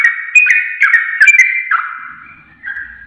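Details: A sooty-headed bulbul (trucuk) whistles in a masteran recording for caged birds: several clear slurred notes in quick succession, then a long fading tone and one last soft phrase.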